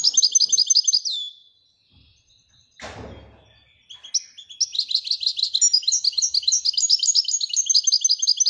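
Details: {'text': 'Widaniya-style song from a Moroccan European goldfinch, quick high chattering notes, a pause broken by one sharp knock, then a long, steady stream of bright twittering trills.'}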